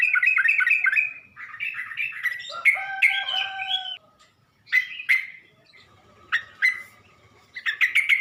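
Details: Sooty-headed bulbul song played as a lure to provoke other bulbuls: bubbly, warbled mid-pitched phrases, loud and continuous at first, then short separated bursts with quiet gaps.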